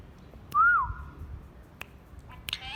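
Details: Pet talking parrot kept at home giving one loud, clear whistle that rises briefly and then falls, followed by a few sharp clicks and a short higher squeak.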